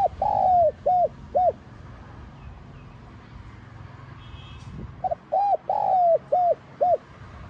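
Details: Spotted dove in 'giọng son' voice, calling coo style. The clip opens on the tail of one phrase. Several seconds of quiet follow, then a complete phrase of a quick lead note, round coos, a drawn-out coo and two brief closing coos.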